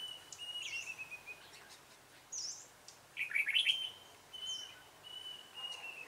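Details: Red-whiskered bulbul, dark-bibbed form, recorded at a bulbul trap on 28 February 2017. A held whistle leads into a loud, tumbling warble, then an even tone. Scattered high, thin slurred notes come from other birds.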